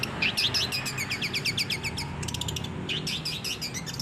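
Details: Long-tailed shrike song for training captive birds: a run of quick rising chirps, then dense rapid scratchy notes in bursts, over a low background hum.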